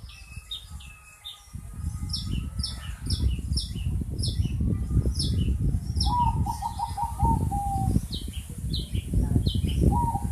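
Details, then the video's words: Long-tailed shrike giving a strange sound: rapid series of short, sharp, high notes repeated many times, broken by a quick lower stuttering trill near the middle and again at the end, over constant heavy low rumbling noise. "Cendet suara aneh"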